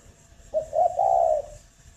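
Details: Spotted dove at a breeding farm near Ba Vì, Hanoi, with a single mellow phrase: one short note, a brief pause, then a longer, soft, throaty coo in a quiet setting.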